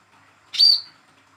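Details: Young hand-reared speckled Olive-backed sunbird, whose calls serve to coax silent birds into singing: one loud, bright chirp that rings and fades into a thin high whistle.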